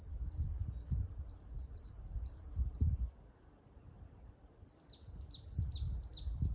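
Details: Coal tit singing from the top of a Norway spruce at 1520 m on Mount Asahi, Shiga Kogen, Yamanouchi, Nagano, Japan, 29 May 2022: two bursts of rapid, high, repeated two-note phrases, about ten each, over low wind rumble.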